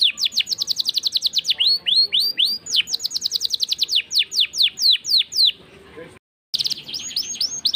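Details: Gacor canary singing an ornate cengkok song, fast series of high descending whistled sweeps in rolling bursts, changing speed between phrases, then a brief break before the song resumes.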